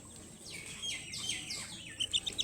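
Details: Baby ducklings in a brood, high thin peeps sliding downward, several in quick succession, ending in a run of short sharp chirps over faint background hiss.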